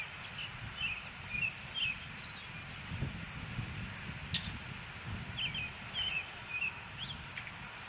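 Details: Nest-camera sound from an osprey nest in Hellgate Canyon, Missoula, Montana, on May 16, 2018: two loose bursts of thin, high, slurred chirps separated by a quieter gap, against a low steady rumble.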